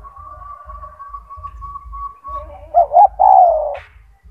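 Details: A gacor tekukur, the spotted dove with a big, loud voice used to teach other doves, sings after a steady thin humming tone: a clipped double coo, then one long, deep, slowly falling coo.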